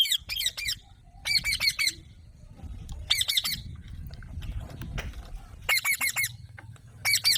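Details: Alexandrine parakeet calling naturally in repeated bursts of rapid, harsh, nasal squawks, about four bursts with short pauses between them, over a low steady hum.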